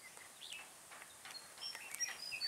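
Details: Red-whiskered Bulbul, a trapped bird recorded on 5 November 2017, giving short whistled phrases of bright warbling notes that rise and fall, growing denser and louder toward the end, over steady background hiss.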